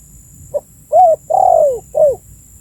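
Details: Spotted dove calling, used as a lure to attract birds: a short soft note followed by three cooing notes, the long third one slurring downward, clear and close against a low steady hum.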